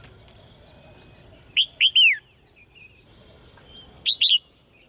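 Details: Red-whiskered bulbul kept in a cage, song meant to stir males into strong singing: two brisk phrases of clear arched whistles, the first with three notes ending in a long slide down, the second two-noted.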